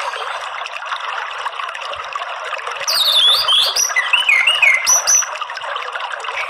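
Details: Orange-headed thrush song played as therapy to prompt a caged bird to sing fully: a burst of high sliding whistles and twisting notes over a steady rushing, water-like background.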